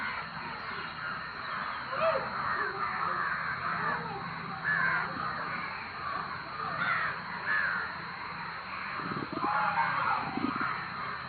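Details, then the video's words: A big flock of crows cawing noisily and without pause, with dense overlapping rasping calls, some louder bursts, and a few lower croaks near the end. "காக்கா இப்படி கத்துனா ஏதாவது ஆபத்தா???-Crowd crows making loud noises"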